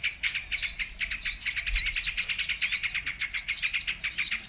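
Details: Trapping lure of a brown-throated sunbird, called kolibri manggar: quick repeated high chips mixed with curling whistled upslurs, delivered in near-continuous bursts.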